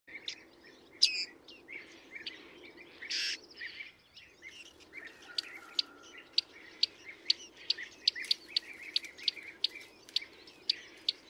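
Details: Bearded reedling at a bird hide in Emmen, the Netherlands: a rapid series of short, sharp, high ticking notes, clustered in the second half, with softer chirps and twittering early on and a low background hum.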